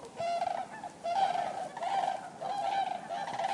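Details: A crowd of common cranes calls in bursts of loud, nasal trumpeting about every second, the chorus rising and falling with short quieter gaps between.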